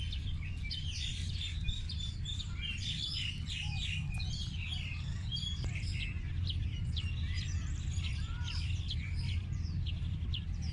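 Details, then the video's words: Wild birds chirping together in a dense chorus of short, high twittering notes that overlap continuously, with a steady low rumbling hum underneath. "Listening To The Birds Chirping"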